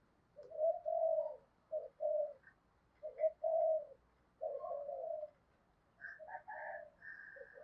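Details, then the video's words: Decoy spotted dove in 'giọng thổ' voice, heard at a distance over steady hiss: broken low cooing phrases, with higher short notes joining near the end. "Chim Cu Mồi cu gáy giọng thổ cực chất"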